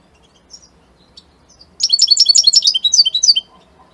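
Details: Goldfinch, Italian type, gives a few soft thin notes, then breaks into a loud, fast run of sparkling twittered and trilled phrases lasting about a second and a half.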